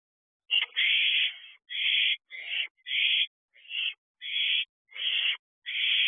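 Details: Pair of ten-week-old barn owl owlets at their nest box around 2:15 am, 15 June 2023; an almost unbroken run of rasping, hissy screeches, about eight bursts in six seconds with brief gaps.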